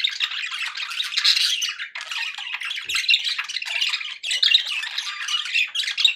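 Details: Budgerigars kept as pets chatter continuously in scratchy, buzzy warbles and rapid chirps, with a brief dip just before the second second and another before the fourth.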